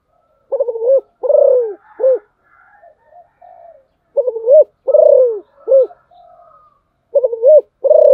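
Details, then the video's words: Spotted dove used as a decoy bird, repeating a three-part low cooing phrase, a quick doubled note, a long arched coo, then a short clipped note, about every three seconds, with faint twittering from other birds in the pauses. "tiếng chim cu gáy mồi, Rất bài bản"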